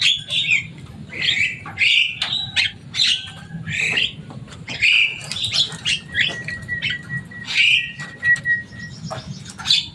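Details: Common myna, a noisy, loud-voiced bird said to mimic human speech, delivering rapid harsh squawks and chattering notes almost continuously, plus one long steady whistled tone, over a low background rumble.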